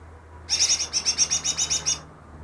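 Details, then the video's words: Greater green leafbird caught two days earlier, said to imitate ten other bird species: a rapid run of about twelve high, bright chirping notes evenly spaced over one and a half seconds, with a faint low hum underneath. "burung cucak ijo yang bisa meniru 10 suara burung lain"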